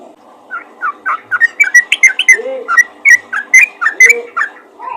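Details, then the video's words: Yellow-vented bulbul calling to other bulbuls with uneven, liquid chirps and short whistled notes at a looser pace, plus a few lower, softer slurred notes beneath. "panggilan burung trucukan ropel gacor memanggil trucukan lain"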